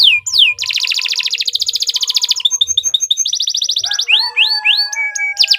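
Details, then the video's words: Canary in long continuous song used as a training tutor; a dense rolling trill of quick repeated notes shifts into other rattling trills, ending with a series of clear downslurred whistles. "Suara Burung Kenari II GACOR PANJANG Cocok untuk Masteran"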